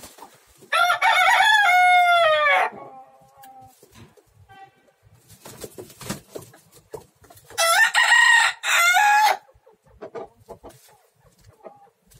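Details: Three roosters fighting: two loud, harsh crows with stacked harmonics, the first around one to three seconds, the second near eight to nine seconds, with quieter clucks and scuffling between.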